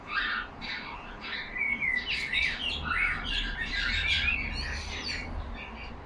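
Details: Yellow budgies caged together chattering, a steady run of warbled chirps and looping whistled slurs, growing louder and denser toward the end.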